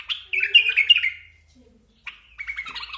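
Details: Basra bulbul with loud, quick chattering chirps in a rapid run, a short silence, then another burst of bubbly, slightly harsh notes.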